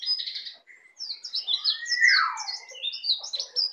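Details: Young Bali white-eye kept as a pet, learning the ngeplong song: a busy, nearly continuous stream of high twittering chirps over one long downward-gliding whistle.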